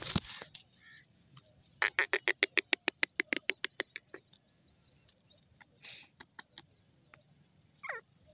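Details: Grey francolin calling: a run of about a dozen sharp, harsh, clipped notes repeated rapidly and evenly, growing softer toward the end, followed by scattered fainter notes and a brief descending sound.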